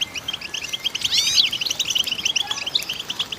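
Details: Fast, high twitter of a female goldfinch singing, broken by a brief swooping, liquid flourish partway through.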